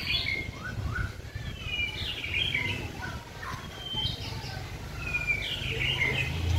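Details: White-rumped shama under song training in a cage: soft scattered whistles and short slurred notes, partly masked by a low rumbling background and faint voices.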